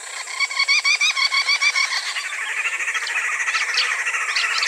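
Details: A flock of Green Wood Hoopoes, social birds that raise young together, heard from a forested area in sub-Saharan Africa. They chatter loudly in rapid repeated cackling notes, about three per second, rising into an overlapping, excited babble.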